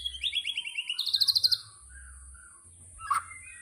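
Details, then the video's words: White-rumped shama (murai batu) 'tembakan' burst: a quick high rattling trill that climbs into a brighter, faster rattle, then goes silent apart from one sharp click. "Tembakan Murai Batu Yang Membuat Kita Tidak Bosan Menontonnya Berkali-kali || WHITE RUMPED SHAMA"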